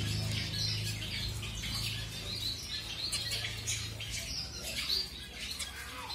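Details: Colour-mutation zebra finches newly introduced to a new mate for pairing; rapid, irregular bright chirps and squeaky calls, about a hundred a minute, over a steady low hum.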